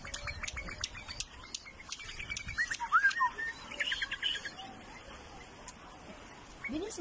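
A bulbul gives quick, sharp chirps and a few short slurred whistles midway, with other small twittering birds and faint voices in the background.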